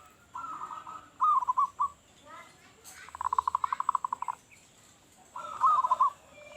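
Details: Local zebra dove, loud-voiced, calling to lure other doves: soft rolling coos and fast staccato pulses near one pitch, with quick trilled bursts, over a faint hissing background.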